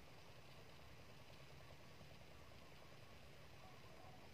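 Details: A quiet, steady low engine idling hum with faint vibration, no animal sound.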